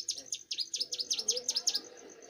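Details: Short, fast burst from a young Bar-winged prinia in vigorous song: around nine bright, piercing chips, each a quick down-up sweep, steadily repeated, then tailing off; quiet low background.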